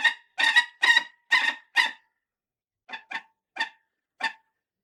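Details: Falcon screeching: five loud harsh bursts in quick succession, then four shorter, fainter rasping notes after a pause.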